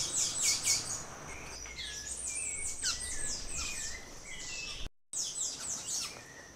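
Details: Velvet-purple Coronet calling with thin, high, rapid chips and short squeaky notes, repeated almost continuously over a soft background hiss; Refugio Paz de las Aves and San Tadeo, Mindo, Ecuador.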